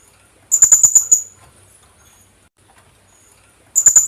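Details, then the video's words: Philippine hanging parrot (kulasisi) gives quick bursts of about six very high, shrill squeaky notes, with a pause of a few seconds between bursts; the sound is used as a lure call. "Kulasisi/Philippine hanging parrot sound"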